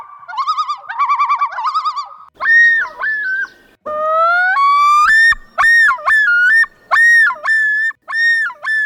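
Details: Common Loon in nesting season, calling between mates and to mark territory: a quavering, laughing tremolo, then loud, pure, ringing rising wails breaking into two-part yodelling phrases repeated faster than once per second.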